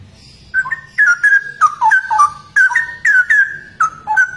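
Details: Straw-headed bulbul (cucak rowo), a rare bird famed for its unusual song: a rich run of loud, liquid whistled notes, slurring down and up between mid and higher pitches in quick bursts of about two per second.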